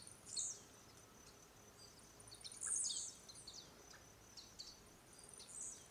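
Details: Male blue-black grassquit singing while leaping in display, for courtship and male competition, around RPPN das Araucárias Gigantes, Itaiópolis, Santa Catarina; high-pitched buzzy bursts sliding downward, repeated irregularly, with softer scratchy notes between them.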